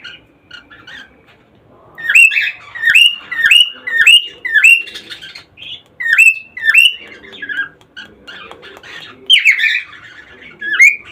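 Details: Cockatiel calls used to encourage mating: clear whistled notes that rise sharply then drop, repeated roughly every half second in bursts separated by short pauses, with softer chirps and faint chatter between.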